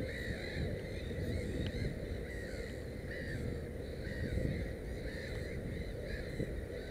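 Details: Black-headed gull calling at a nest with three chicks: a run of short, harsh, slightly rising cries repeated at irregular intervals over continuous low background rumble.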